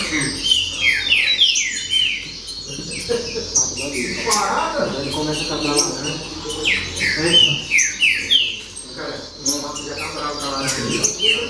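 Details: Green-winged saltator (trinca-ferro) in the baderna style: a busy run of quick downslurred whistled notes that overlap rapidly, about three per second, with a low murmur underneath.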